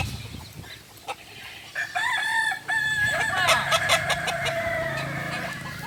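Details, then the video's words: Kokok Balenggek chicken, native to Solok in West Sumatra, crowing during a group practice. A few short calls lead into a long crow of level, stepped syllables that breaks into rapid staccato notes and continues to the end. "Latberan ayam kukuak balenggek.. ayam asli solok sumatera barat"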